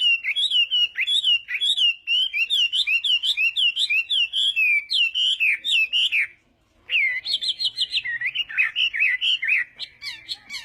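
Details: Chinese hwamei morning song for voice training: rapid repeated looping whistles, about two per second, a short pause, then higher ringing notes and more fast warbled phrases.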